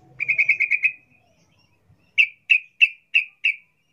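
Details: Wild-style ngalas song of a sooty-headed bulbul, rapid ropel type, intended to prompt captive birds to sing: a quick run of seven whistled notes, a pause, then five slower spaced whistles.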